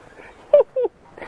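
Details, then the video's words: Pair of African geese newly settled on a farm. Two short nasal honks come close together, the second slightly longer and falling at the end, over faint background noise. "Ganso Africano"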